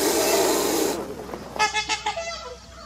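A Trumpeter Swan gives four or five quick, nasal, horn-like honks in a short burst, after a second of loud hissing noise.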